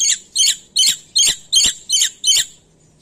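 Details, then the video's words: Black-winged myna, an Indonesian bird that copies other species, giving seven harsh, raspy squawks spaced about every third of a second, then falling silent. "Suara Burung Jalak Putih Gacor Full Isian"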